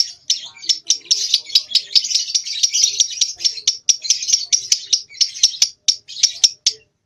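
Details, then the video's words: Young two-month lovebird trying out ngekek, phrases still short because of its age; continuous high, buzzy chatter broken by sharp clicks, steady for seven seconds before tailing off. "LOVEBIRD PAUD Nyeklek Belajar Ngekek Latah Mewah"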